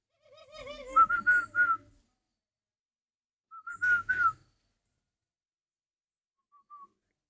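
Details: Spotted dove kept for breeding gives a low wavering coo followed by bright whistled notes in two bursts, then a faint short note after a long silence.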